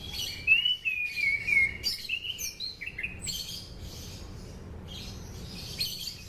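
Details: Sunda pied fantail song used as a lure for training birds: high whistled phrases, some slurred downward, in short bursts over the first three seconds, then softer high notes, with steady low background hum.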